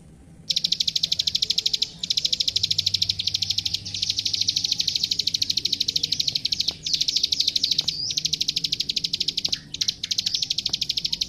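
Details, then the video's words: Plain prinia (prenjak sawah) in a master recording for training songbirds: a fast, steady series of sharp, high clicking notes, about three per second, broken by brief pauses. "Suara Masteran Burung Klik Klik Gacor"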